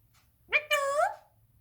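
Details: A pet rose-ringed parakeet indoors talks: a short two-part word, a clipped first syllable, then a longer tonal, nasal second syllable that rises slightly before fading, in an otherwise quiet room.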